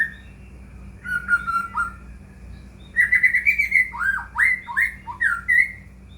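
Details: White-rumped shama song played to stir a quiet caged shama into singing: a falling whistled phrase, a pause, then a rapid run of rich whistles and upward-swooping notes, with a faint background hum.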